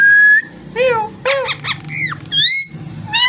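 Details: Mixed parrot sounds: a level whistle, then a cluster of rough, harmonically rich squawks and falling notes, followed by a high arched whistle; background hum present.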